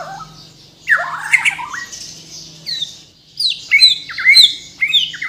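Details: Kalimantan-origin white-rumped shama, a caged Bornean bird, giving a harsh warbled phrase then crisp high whistled downslurs repeated in quick succession, with a steady low hum behind.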